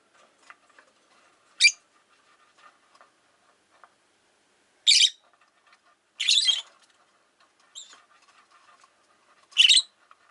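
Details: Caged Rosy-faced lovebirds, five by a window, utter a series of loud harsh chirps every one to three seconds, each short and grating, with quiet twittering between.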